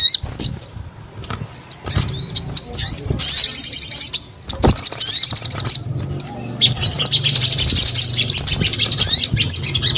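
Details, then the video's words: Energetic song of a crimson sunbird: high, piercing twittering phrases and thin whistles, with dense jingling bursts lasting a few seconds each, broken by short pauses and clicking sounds, against a steady low background hum. "SUARA SOGON GACOR"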